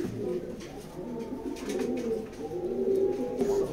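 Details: Racing pigeons indoors giving low, steady, hollow coos, with several drawn-out notes near the end over a constant background hum.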